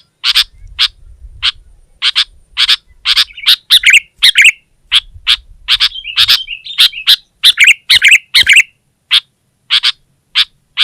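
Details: Sooty-headed bulbul singing hard at a rival: a long series of sharp, evenly loud chirps, broken twice by brief rolling warbled phrases, with faint low noise in places.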